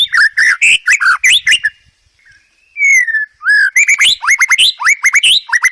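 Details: White-rumped shama master song for training cage birds, packed with varied fill-in phrases: loud rapid bursts of sharp whistled and chattering notes, a pause, then a drawn, falling whistle followed by quick repeated upslurred notes.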